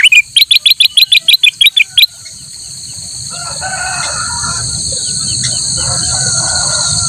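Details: Black-headed bulbul, played as a master recording for other birds to learn, gives a quick burst of about a dozen sharp chirps lasting two seconds, then steady high whine and faint background calls.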